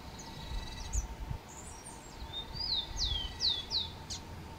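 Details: Rufous-collared sparrow (tico-tico) singing among urban birds: a few thin high whistles, then a series of four clear, descending slurred whistles, each dropping sharply, ending with a brief high note; quiet background with a faint steady hum.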